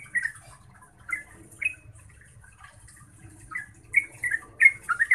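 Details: Yellow-vented bulbul singing to make other bulbuls answer: scattered bubbly notes at first, then a quicker cluster of gliding chirps toward the end, over steady low background hum.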